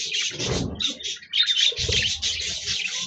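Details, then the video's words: Budgerigars recorded on 26 January 2024 chatter in quick, squeaky, buzzy warbles, a short dip in the middle, then steady high twittering, with low knocking sounds underneath. "Budgies Birds Singing Chirping Sounds Parakeets sounds"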